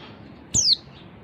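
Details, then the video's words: One brief, piercing chirp from a female oriental white-eye, sliding quickly downward in pitch; a call meant to stimulate males to sing, heard over quiet background hiss. "suara pleci betina bikin jantan bongkar isian"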